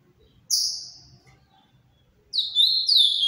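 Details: Ultramarine grosbeak, captive-bred, singing the Paraná-style song held to be Brazil's most beautiful: one high slurred note, a pause, then a run of clear descending whistled phrases.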